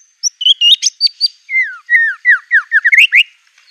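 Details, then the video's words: White-rumped shama in a fierce, aggressive singing bout. Clear, varied whistles: short high notes, then a run of sliding, downward-swooping whistles and quick upslurs, with no background noise. "MURAI BIRD SINGING NGAMUK NEMBAK MATERI SANGAR"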